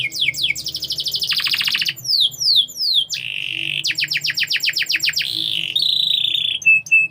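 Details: Song of a canary: quick rattling trills, falling slurred notes, a dense buzzy tour and rows of sharp repeated clicks, closing with clear high piping notes; low hum present throughout.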